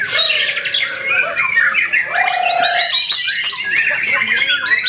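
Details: White-rumped shama, a newly acquired bird, Ciseeng, Bogor, 10 August 2021: rich continuous song of rapid chirps, buzzy notes and rising whistles high in pitch, with two long steady low whistled tones.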